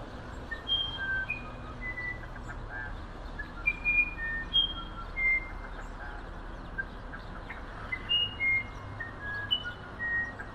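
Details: Musician wren, also called violinero or wirapuru, a songbird of humid Amazon forest known for its elaborate song: a sequence of pure, clear whistled notes at varied steady pitches, each held briefly, spaced about half a second apart, over a low rumbling background.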